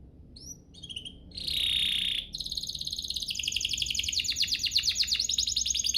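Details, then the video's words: Canary singing to provoke other canaries into song. A few brief high chirps lead into a harsh, dense buzzy burst, then a long, rapid rolling trill that grows steadily louder to the end. "Pancingan ini EFEKTIF BANGET, burung kenari lain langsung terpancing untuk GACOR"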